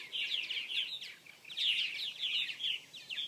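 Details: Purple martins at a nesting colony with gourds, poles and houses in South Florida, 2014: dense overlapping chirps and gurgling chatter, high and busy, rising and falling in bursts throughout.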